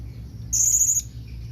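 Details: Blue-crowned hanging parrot calling companions with one shrill, very high, thin whistle lasting about half a second, slightly wavering, against a faint low background hum.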